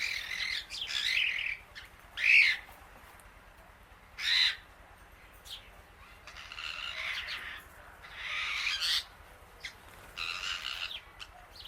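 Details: Female Indian ringneck parakeet outdoors eating grass among many birds, giving harsh, shrill squawks in bursts roughly every two seconds, with some longer rasping screech runs between quieter gaps.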